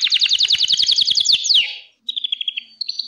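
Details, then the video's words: Fast, high trill from a Gloster canary ending in a downward slur, followed by a short silence and a softer, quicker trill and a whistled note. "GLOSTER KANARYA MUHTEŞEM ÖTÜYOR"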